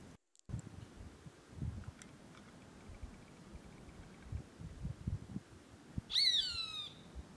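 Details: A Roadside Hawk at a small dam in dry, drought-stricken caatinga gives one drawn-out, nasal, downslurred scream near the end, lasting about a second, over a low wind-like rumble.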